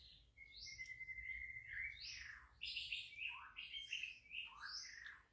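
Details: White-rumped shama in wild forest: a long level whistle opens, then tumbling, varied whistled phrases pour out continuously, rising and falling, over a low background rumble.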